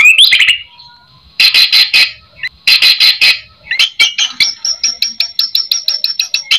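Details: Full, varied white-rumped shama song meant as a lure for other shamas to respond: an opening whistled slur, harsh raspy bursts, then a fast series of short sharp notes repeated several times a second.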